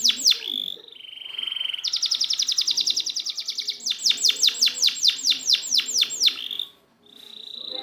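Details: Tutor song for a canary that won't sing, with a steady whistled tone, a buzzy rapid trill, then a run of repeated arching notes and a final held whistle.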